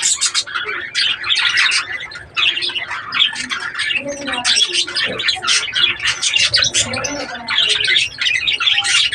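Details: Breeding budgies fill the room with continuous overlapping chatter: rapid scratchy warbling, squeaky chirps and harsh squawks, with no break across the whole stretch and a low steady hum underneath.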